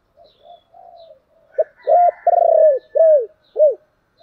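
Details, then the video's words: Thổ-voiced spotted dove calling to urge: soft murmured coos lead into a loud phrase of a short note, an arched hoot, a long trembling croon and two clipped rounded coos. "cu gáy giọng thổ Thúc và gáy gọi hay"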